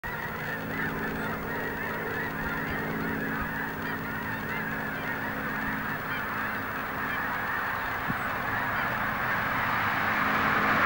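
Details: Hundreds of snow geese coming in to land at dusk in far southeast Dallas County fill the air with a dense, unbroken roar of high, nasal honks that builds louder toward the end.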